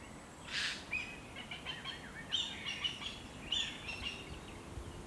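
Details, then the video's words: An adult black kite defends its nest from a jay in Decima Malafede Natural Reserve, home to about 11 pairs: thin, wavering, high whinnying notes in quick succession, broken by harsh rasping screeches likely from the jay. "Black Kite defending its nest from a Jay"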